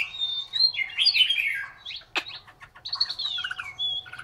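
A Chinese hwamei sings a rich, fast run of varied whistles, slurred trills and sharp downward notes, phrase after phrase with barely a pause.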